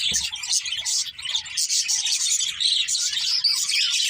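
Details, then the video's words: Several budgerigars chirping together in a dense, continuous chatter of high, scratchy twitters and warbles, with no pauses across the few seconds. "Cute Budgies Chirping Sounds"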